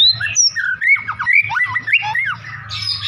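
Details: White-rumped shama in full song, bowing as it sings: a short burst of harsh squawky notes mixed with quick whistled slides and warbles, ending in a scratchy, high jumble, with a low hum behind.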